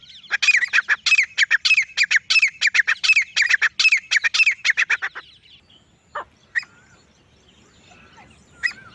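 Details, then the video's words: Lone male grey francolin delivers a fast series of loud, ringing, harsh notes for about five seconds, then falls silent apart from a few single sharp notes. "Akely Nar Teetar ki Saaf or Full Sound | Awaz Only Male Partridge Sound | Grey Francolin Voice"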